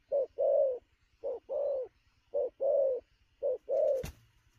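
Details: Wild-caught spotted dove cooing at speed around noon. Brief coo and longer coo pairs come in four evenly spaced rounds, ending with a sharp click-like knock.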